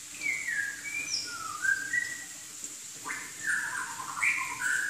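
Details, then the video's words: Chinese hwamei, native to southern China, giving clear whistled slurs that dip and rise, delivered in short separated phrases with faint background hiss. "Kicau Burung Hwamei Wambi Gacor"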